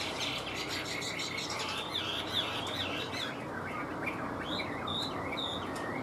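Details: Caged Chinese hwamei kept as a songbird, singing a run of varied whistled notes and slurred phrases that rise and fall. A steady hiss sits under the song throughout.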